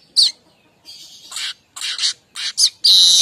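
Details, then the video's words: Streaked weaver's kemrecek chattering, meant to draw in other weavers; high sharp chips mixed with buzzy, rasping bursts, ending in a sustained harsh churring chatter. "Manyar kembang Suara kemrecek untuk pancingan/pikat burung Manyar"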